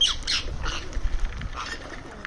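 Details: Indian ringneck parrot making sounds while eating at a terrace feeding spot: a few brief harsh squawks at the start, then softer scattered chirps and clicks over a low background rumble.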